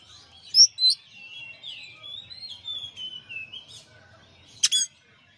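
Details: Champion oriental magpie-robin singing a master recording: two loud, clear high whistled notes open a run of varied sliding warbles and twitters, followed by a pause and a short burst of harsh, rapid high notes.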